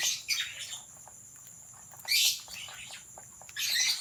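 Cockatiels give bright, harsh chirps and screechy calls in short bursts, spaced by brief pauses.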